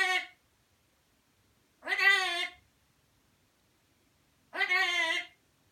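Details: A macaw named Kiwi says "Ricky": a short, rasping word three times, each under a second and spaced a few seconds apart, in an otherwise quiet room.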